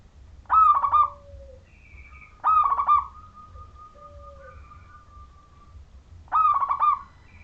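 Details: Zebra dove, local Majapahit strain, with a clear voice and used as a lure for other zebra doves to sing: three loud bursts of rippling, throaty coos about two seconds apart, joined by faint held tones.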